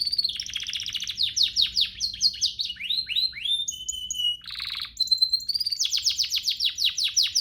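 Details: Canary master song for training: rolling series of fast falling notes, rising whistled slides, a buzzy burst and a long pure whistle, ending in a rapid, even trill.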